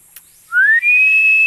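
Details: Philippine eagle calling loudly: after a faint click, one piercing whistle rises quickly, then stretches into a long, level high tone that is still sounding at the end.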